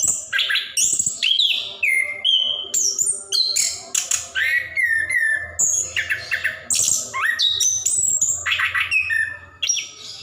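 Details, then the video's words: Plontang orange-headed thrush in continuous gacor ngerol song, played to coax reluctant caged birds into singing; fast, nonstop run of varied high whistles, slurred notes and sharp chips with hardly a break, plus a faint low hum. "Anis Kembang / Plontang Gacor Ngerol | Durasi Panjang cocok untuk pancingan burung malas bunyi"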